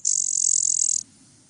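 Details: A Blue-winged Warbler sings its "bee-buzz" song: a single high, dry, insect-like buzz lasting about a second, then falls quiet over a faint low hum.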